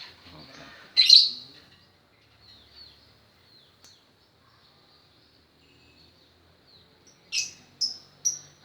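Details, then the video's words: Lovebird learning the ngekek song style: a loud, sharp high chirp, then long quiet, then a quick run of three clipped, bright chirps near the end; a few faint soft notes in between. "Burung Love bird belajar ngekek"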